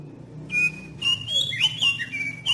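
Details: Oriental magpie-robin song used as a lure to set other magpie-robins singing: varied clear whistles, some long and level, others sliding down sharply, in a rapid continuous phrase with a low hum beneath.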